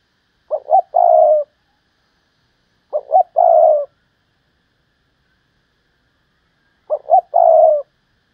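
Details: Spotted dove prized as a decoy singer giving three rhythmic cooing phrases, each two brief hoots and a lingering low coo, about every two to four seconds in quiet.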